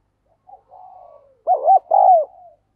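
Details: Spotted dove used as a decoy, cooing to draw wild doves in: faint soft trailing coos first, then a loud two-part wavering coo followed by a long, even, slightly falling coo, with no other sounds.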